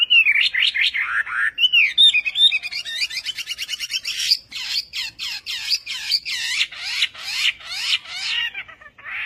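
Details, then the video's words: Vietnamese-style singing by a Chinese hwamei: looping whistles give way to a rapid, rattling trill, followed by loud repeated downward-sweeping notes with brief gaps. "HỌA MI TÂY - TIẾNG HÓT VIỆT"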